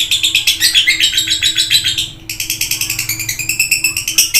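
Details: Lively lovebird chatter of fast, harsh chirps, pausing briefly after two seconds before resuming the quick pulsed twittering, over a faint background hum.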